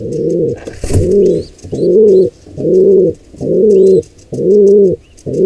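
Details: Steady low cooing from wild pigeons during an intruder pair's attack on a nestling, roughly one rounded coo per second, with a sharp knock near the start and faint squeaky notes overhead.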